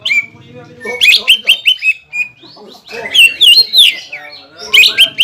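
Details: Greater green leafbird song meant to provoke a rival bird: chattering notes, squawks and wavering whistles in quick bursts, a brief pause mid-way, then rising and falling slurred phrases.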